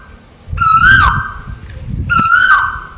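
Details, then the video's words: Malaysian tuwu bird, a scops owl, calling overhead: two loud, level hoots with a small rise and drop at the end, about 1.6 seconds apart, over soft low rumbling background noise. "Burung tuwu malaisia lagi bunyi diatas"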